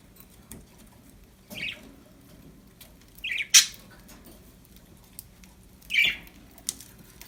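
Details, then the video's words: Happy pet budgerigars giving a few short, sharp chirps spaced seconds apart over a quiet indoor background with faint low hum. "Happy budgies chirping sound"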